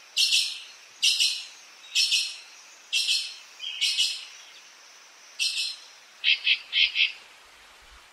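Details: Azure-winged magpie uttering a series of grating, buzzy notes roughly once a second, then a quicker burst of three shorter chattering calls.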